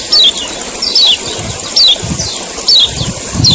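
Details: Male common iora, used to prompt other ioras to sing: sharp descending high chirps repeated about every 0.8 seconds, each a quick downward slur, with a steady high hiss and low thumps between.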